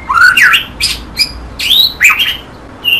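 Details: White-rumped shama singing: a short burst of harsh, squawky rising and falling notes mixed with brief whistles, several phrases packed into a few seconds, loud and close.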